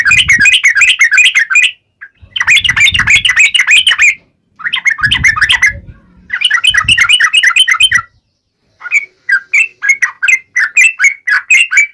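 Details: 'Ngalas tajam' gacor singing of a Yellow-vented bulbul, used to get birds to answer: four long bursts of fast, jumbled chirping with short breaks, ending in slower separate notes; low rumbling underneath parts.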